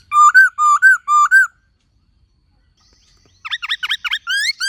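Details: Laughingthrush song with a female calling: four rich, rising-then-falling whistled notes in quick succession, a silent gap, then a fast jumble of dropping whistles and rising slurs.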